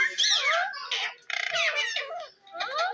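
A rose-ringed parakeet talks in high, squeaky, nasal bursts of mimicked words, four short phrases in three seconds, with a raspy edge and no other sounds.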